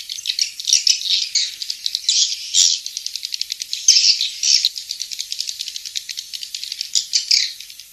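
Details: Swiftlets twittering continuously, high thin chirps running together into buzzy rattling bursts that swell and fade every second or so.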